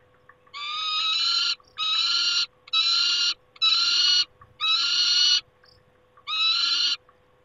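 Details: A run of six rough, screeching cries, each close to a second long and evenly spaced, from a peregrine falcon at the nest on 28 August 2021. A low electrical hum sits beneath.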